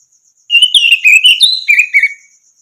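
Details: Orange-headed thrush song used as a training recording for other songbirds: loud rich whistled phrases with slurred notes sliding between high and lower pitch, ending in a short trilled run, over a faint steady insect hiss.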